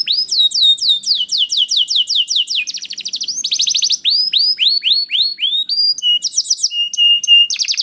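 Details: Canary song for stimulating other canaries to sing: series of clear upslurred whistles repeated several times a second, fast trills, and steady pure tones in varied phrases.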